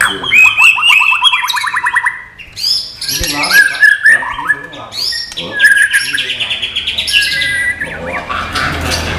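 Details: Non-bubbling song of a white-rumped shama: fast rattling trills, ringing whistles and dense mixed phrases pouring out continuously, with short breaks and changing tone throughout.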